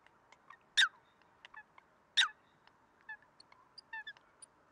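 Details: Eurasian coot in Greece, February 2023: two loud, abrupt notes about a second and a half apart, then quieter scattered calls from other birds.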